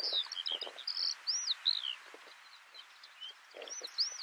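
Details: A Eurasian skylark at Tignes, France, in May 2022 gives quick, high, liquid chirrups and slurred rising-and-falling notes in a tumbling run, over a faint rustling background.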